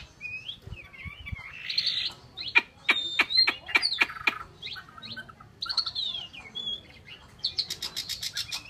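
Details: Chinese hwamei song with slurred whistles, then a rapid series of loud, crisp clicks about three per second, followed by rich warbled phrases and high chatter.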